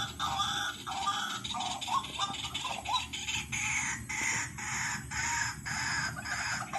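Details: White-breasted waterhen calls used as a lure. Harsh, clucking notes are repeated in quick, uneven bursts, overlapping into a dense, busy chorus.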